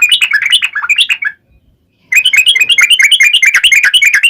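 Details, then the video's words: Yellow-vented bulbul in 'ngalas tajam' gacor style, for making birds answer: a quick chattering phrase, a short silence, then a longer, denser run of sharp bubbling notes. "KICAU SUARA trucukan gacor NGALAS TAJAM"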